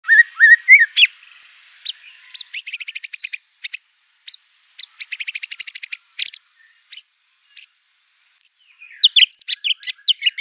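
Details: White-rumped shama singing fiercely, its song loaded with copied phrases of canary, cililin and cungkok; low rising whistles open, then fast rattling bursts of high repeated notes with short pauses, a varied scratchy flourish at the end.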